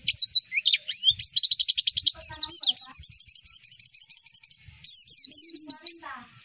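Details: Energetic Javan white-eye tutor song: varied high twitters lead into a long, fast trill of evenly repeated sharp chirps, then a final bright run of downslurred notes.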